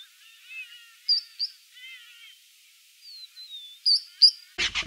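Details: Three-banded plover at Sunset Dam: thin, high whistled peeps and short piping notes, with one longer descending slurred whistle, scattered irregularly over about five seconds, then a sudden loud knock at the end.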